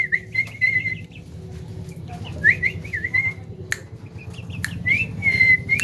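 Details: Javan myna, said to outdo a hill myna with its voice, gives repeated wavering high whistles in three phrases, with occasional sharp clicks over a low background hum.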